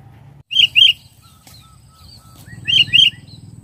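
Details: Sooty-headed bulbul in the wild during a trapping session: two loud, bright, bubbling chirped notes, then soft thin whistles, then another loud pair of chirps, over a low engine-like rumble.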